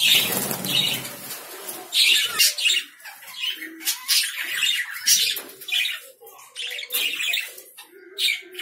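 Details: Lovebirds squawking steadily in rough, high chirps, loudest early on and then in repeated short bursts, with soft, lower chatter between them.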